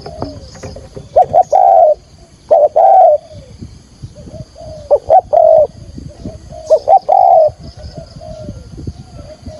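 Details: Decoy spotted dove calling to lure wild doves for trapping: repeated double notes leading into long mellow coos, about five phrases, over a steady background of low rustling noise.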